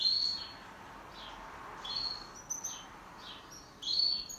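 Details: Duet from a pet canary: high, clear chirps open and close the passage, linked by faint, downward-sliding whistles repeated roughly every half second against a quiet background.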